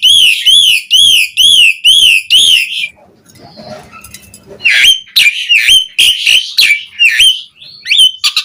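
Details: Asian pied starling in lively song, recorded as training material for caged birds: five loud rapid ringing whistled bursts, a brief quieter jumbled pause, then resumed whistles and harsh chips mixed together.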